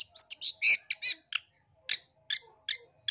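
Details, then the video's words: Long-tailed shrike from East Java in a lure recording for stirring rival birds to sing aggressively. A rapid cluster of harsh, scratchy notes, then single chattering notes spaced about every half second. "Pancingan dan Masteran Cendet Jatim biar Gacor Dor Emosi"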